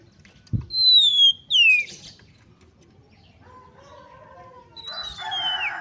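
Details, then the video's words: Female Oriental magpie-robin call used to excite males: two high whistles, the second sliding down, then quiet, followed by another falling whistle mixed with harsher, noisy sounds. "PANCINGAN AGAR KACER CEPAT EMOSI, GACR DAN BKA EKOR || KACER BETINA"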